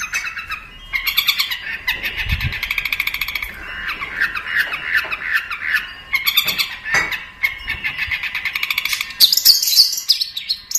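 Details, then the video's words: Cendet (long-tailed shrike) tutor recording: a long, rapid warbling chatter of mid-pitched notes in fast rattling series, ending with high sharp squeaks, and one dull low thump near the middle. "Suara Burung Cendet | Gacor"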